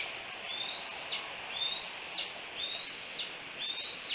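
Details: At the Decorah bald eagle nest on 5 July 2018, late morning, thin whistled chirps slide downward, spaced about a second apart, with faint rustling noise behind.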